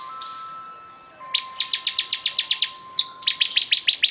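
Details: Bar-winged prinia delivering rapid high, piercing notes in two bursts, each a quick regular train of about ten clipped chips separated by a brief gap, over a faint continuous hum.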